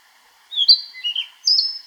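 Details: Narcissus flycatcher from Niigata Prefecture, Japan, giving a crisp whistled phrase: a sliding high note, a low short twitter, then a strong high whistle trailing off into another brief note, against near silence.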